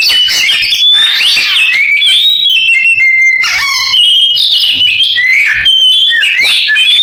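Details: Canary imitation by an Oriental magpie-robin: warbled bursts alternating with clear sustained whistles and quick slurs, continuous throughout.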